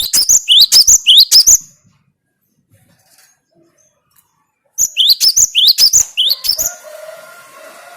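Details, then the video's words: Two bursts of cinereous tit song, each a rapid series of loud, high upslurred whistles about a third of a second apart, separated by three seconds of silence; some faint hum trails the second burst. "Makin Edan gelatik batumu setelah dengan suara ini"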